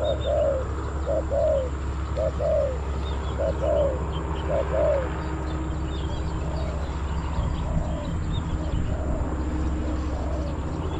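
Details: Spotted dove luring wild doves at a Bang Li decoy site in Thailand; a series of paired coos about once a second that fade and become faint in the second half, over heavy low-frequency rumble.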